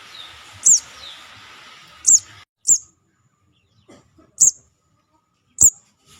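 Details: Young sogon lure call, high piercing single chips repeated five times at irregular intervals of one to two seconds, over a faint hum during the first seconds.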